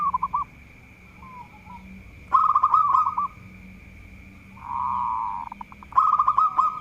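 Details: Local zebra dove in full song, reputed to goad rival birds: repeated phrases of quick rolling coos, one long even purring trill in the middle, phrases roughly every two seconds, against a persistent high-pitched hum.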